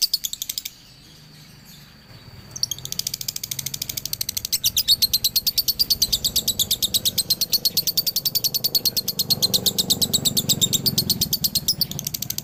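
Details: Male lovebird from Ciamis: a short chirp burst, a pause with a thin whine, then a long, rapid, shrill dobelan chatter of regular high chirps that runs on for many seconds.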